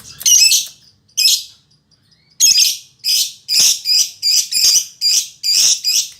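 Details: Female lovebird with a fighter temperament, singing actively in captivity: loud, harsh, buzzy chirps in dense bursts, a pair of calls then a steady run of six strident notes roughly every half second.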